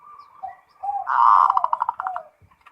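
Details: Perkutut (zebra dove) in ngerot song aimed at raising breeding desire: low soft coos, then one loud rolling burst whose rapid pulses slow and fade.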